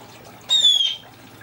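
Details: A Congo African Grey parrot imitates a blue jay: one loud, clear, slightly falling whistled note lasting about half a second, with a faint background hum.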